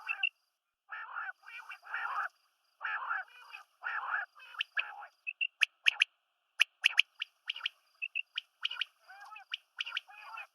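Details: Female and male quail (batair) calling in a mixed recording: a run of harsh, buzzy, gargled phrases gives way to rapid, sharp, high clicks repeated about once a second.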